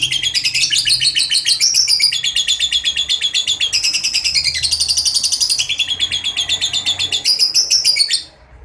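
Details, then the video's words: Lovebird delivering a ngekek panjang, a long trill used as a lure to get other lovebirds singing: a continuous, rapid, harsh high chattering trill of about eight seconds, pulsing steadily with shifting pitch bands, then stopping abruptly. "pancingan LOVEBIRD NGEKEK PANJANG"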